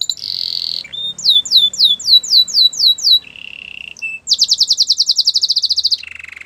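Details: Gloster canary song with a high opening note, a run of downward-sweeping whistles, a buzzy low roll, then a quick, even high trill ending in a lower rattle.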